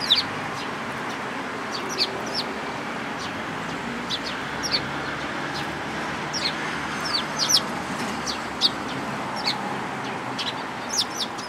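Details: Flock of sparrows including a tailless individual at a Tenmangu shrine, April 13, 2022: frequent quick high chirps, sometimes in twos and threes, over a continuous hiss of ambient noise.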